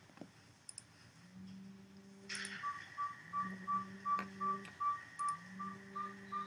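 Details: A Northern Saw-whet Owl, a tiny Wisconsin owl with a high, quiet call, gives a steady run of short, high, even toots, almost three per second, over a low droning hum and faint room clicks.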